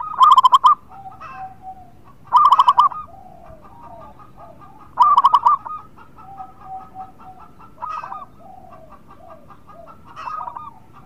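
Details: Lively local Indonesian zebra dove song used to encourage reluctant birds to sing: three strong, rapid bubbling coo phrases spaced a few seconds apart, then several fainter answering coos from surrounding doves.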